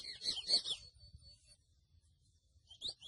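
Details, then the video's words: Grey seedeater (mochuelo) giving a short burst of high, slightly buzzy chirps, a long silent gap, then a few rising whistled notes starting again. "MOCHUELO AVE Y SU CANTO HERMOSO (SPOROPHILA INTERMEDIA)"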